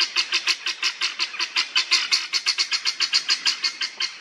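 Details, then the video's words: Rapid rhythmic chattering from helmeted guineafowl in a churchyard in Northamptonshire, England: harsh, scratchy notes repeated about five times a second, steady and unbroken for the whole stretch. "Helmeted Guineafowl | Numida meleagris"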